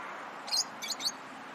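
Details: Three short, bright, high-pitched chirps come in quick succession from lovebirds, which chirp while playing, eating or excited, against a faint steady hiss.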